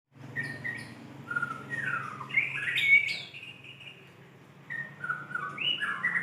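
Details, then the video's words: White-rumped shama, a lively singing bird calling a female: clear whistled phrases around the middle register, some sliding down, with a loud burst of notes near three seconds, a quiet pause, then more whistles; faint low hum underneath. "SUARA MURAI BATU GACOR MEMANGGIL BETINA"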